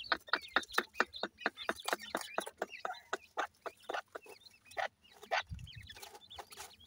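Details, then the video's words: Grey francolin chicks calling during feeding, a rapid run of sharp clicking chips about two per second, then softer scattered peeps and twittering, with a low thump near the end. "grey francolin chicks nice voice,francolin k baby feed"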